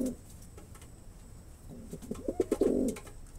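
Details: Male pigeon: a brief low note, a quiet gap, then a build of stuttering pulses rising into a rolling coo.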